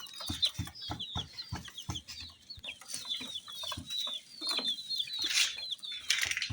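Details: Colour-dyed baby chicks kept with little baby dolls, chirping together: a dense flock of high, short downslurred peeps overlapping continuously, with soft thumps and taps beneath and a brief rustling hiss near the end.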